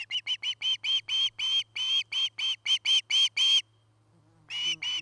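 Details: Osprey at its nest in Charlo, Montana, camera-recorded in the early afternoon of 8 September 2018: a rapid string of clipped, high whistles, nearly four per second, then a pause of about one second before two more.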